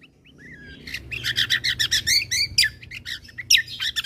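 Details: Bulbul combo song recording meant to provoke other birds: a rising whistle, then a dense burst of loud, rapid chirps and trills, irregular in rhythm, continuing to the end.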